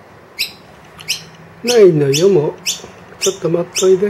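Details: Wild noisy miner with two young indoors, calling loudly to demand food after the feeder empties, unusually vocal; short high chirps repeated about every half second, with a lower wavering voice-like sound midway.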